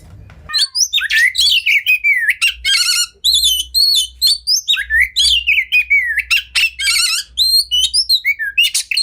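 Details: Caged Oriental magpie-robin, called kacer, sings a rich tutoring song: swooping whistles, fast trilled rattles and crisp repeated notes in almost unbroken rapid phrases over nine seconds.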